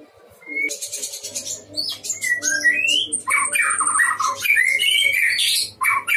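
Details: Vigorous song of a white-rumped shama kept in a breeding cage: rapid sharp chips, upslurred whistles and harsh scratchy bursts packed densely together, a rich and varied delivery.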